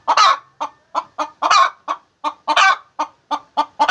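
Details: Hen clucking while laying eggs: rapid short clucks a few tenths of a second apart, broken three times by a longer, louder, harsh drawn-out squawk, in a quiet setting.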